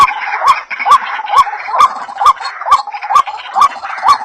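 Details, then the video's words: Waterhen lure call, white-breasted species: a quick steady pulse of rising nasal notes with crisp clicks, set against a murmuring background of lower overlapping calls. "SUARA BURUNG RUAK2 TERBARU ‼️DIJAMIN PADA NGUMPUL‼️"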